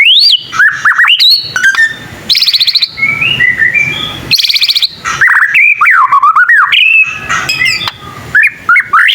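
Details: White-rumped shama, a young bird learning its song, delivering rich whistled slurs mixed with harsh buzzy bursts and rattling trills, then looping up-and-down warbled phrases.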